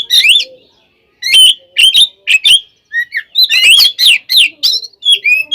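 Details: Fighting song of a kacer, the oriental magpie-robin, meant to make rival birds emotional: sharp buzzy chips and short whistles in quick clusters, with a pause near the start.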